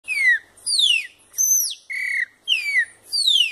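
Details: Chopi blackbird song: six clear whistled phrases, mostly steeply falling slurs with bright overtones, one arched and one level note, spaced about half a second apart in a clean, quiet setting.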